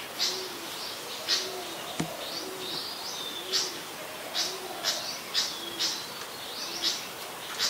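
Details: A Malaysian pied fantail in Ubon Ratchathani, Thailand, on 25 November 2019 gives high, squeaky chirps and short whistled notes, while a dove coos softly and steadily underneath about once a second.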